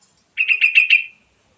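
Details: Song of a sooty-headed bulbul, meant to coax other birds into singing: one short phrase of about five quick, ringing notes run together, fading out at the end.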